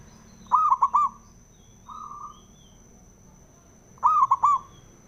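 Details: Male zebra dove, Javanese local perkutut, calling to spur other doves to sing: two rolling cooing phrases of three bubbly notes about three and a half seconds apart, a soft hum between, a faint high electronic tone throughout.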